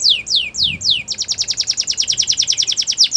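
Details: Belgian canary singing, recorded for song training: four slow, sweeping downslurred whistles, then a quick, steady rattle of short descending notes repeated several times per second over a soft low background murmur.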